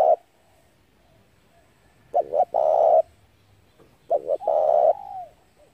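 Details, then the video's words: Spotted dove lure call: two loud phrases, each of two short coos running into a long even coo. The second ends with a gently arching, fading note, and a quiet stretch comes between. "tiếng chim cu gáy hay kích mồi rút bổi tốc độ cực chuẩn"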